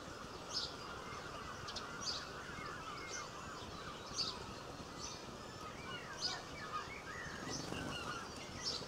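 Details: A linnet in a garden in Cornwall in March 2016 twitters, giving short high chirps about once a second over softer chattering notes and a steady outdoor hiss.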